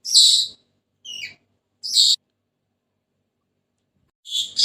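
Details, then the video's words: Senegal parrot giving short harsh high squawks, three bursts in the first two seconds, then silence and a final doubled squawk near the end; no other sounds. "تغريد ببغاء السنيغالي the sound of the parrot senegal"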